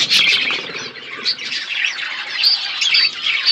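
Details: Budgerigars feeding on seeds in an outdoor aviary: loud overlapping squawks and chattering warbles from several birds, with a few thin high whistles.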